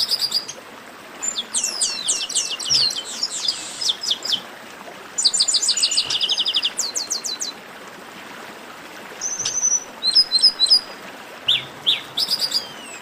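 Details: Chestnut-capped blackbirds singing in a baderna chorus: clusters of quick, sharp high notes and trills, a calmer stretch of thin whistles, then further rapid bursts.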